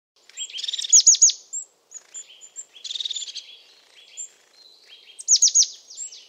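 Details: European crested tit, a resident woodland bird in Portugal; high thin notes followed by rapid buzzy trilled bursts, three bursts in about six seconds, separated by short high whistles.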